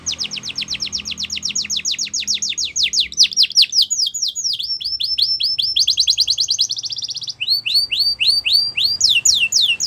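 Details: Yorkshire canary singing a training song for young canaries. It is a continuous chain of rapid falling whistled notes, some phrases faster and trilled, others slower and sweeping, without a pause.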